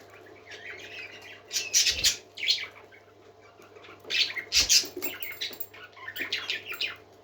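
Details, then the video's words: Parakeets chattering in bursts, bright scratchy chirps and squeaky notes in clusters with short quiet gaps, one soft thump beneath them, over a faint background hum. "Happy Parakeets Singing For Lonely Birds"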